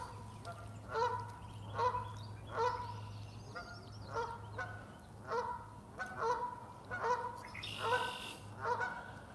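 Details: Canada geese in a spring-flooded riverside forest at Parc de la Frayère, Boucherville, near Montréal, 25 April 2026, on a calm, chilly day, in a territorial dispute between two pairs: loud, nasal two-part honks about one a second over a low steady hum.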